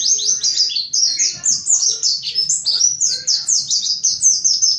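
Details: High, fast mountain white-eye song meant to coax other white-eyes into singing; a steady stream of sharp, down-slurred chirps packed closely, bright and thin, with little else audible.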